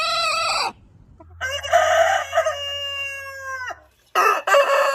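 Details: Crowing rooster: the end of one crow, then a long, even, strongly harmonic crow held for over two seconds over a low steady hum, then another crow starting.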